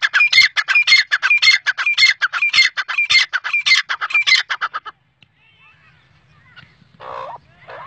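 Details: Black francolin, known locally as teetar, calling: a rapid series of loud, harsh, grating notes, about two each second for five seconds. The calling then stops, leaving a faint low hum and a brief rasp.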